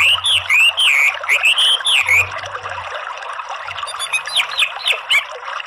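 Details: Orange-headed thrush singing fast, varied phrases of rich whistles and scratchy twitters, several notes a second, over a steady hiss; a therapy/lure recording meant to prompt captive birds to sing.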